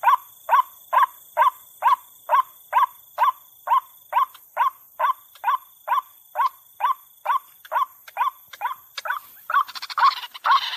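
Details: Lure recording of a female white-breasted waterhen, meant to bring birds out from the nest within minutes; a steady train of rough, clucking notes about twice a second, ending with louder, noisy crackling calls in the last two seconds.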